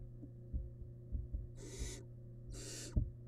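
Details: Wild barn owl nestling feeding on a large rabbit remain in a nest box: two strong, noisy hisses a second apart follow a stretch of soft thumps and shuffling, all over a constant electrical hum.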